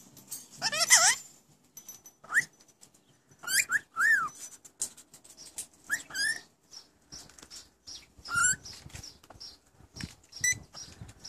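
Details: Pet Rainbow Lorikeets talk, chattering in shrill screeches and warbled, word-like whistles, some sliding in pitch, with short quiet gaps; the owner hears phrases like "What's 4 dinner" and "I'll cook it 4 you."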